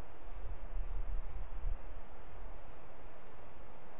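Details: Muffled low wind buffeting and hiss, gusting in the first two seconds then steady, with no bird or other animal heard.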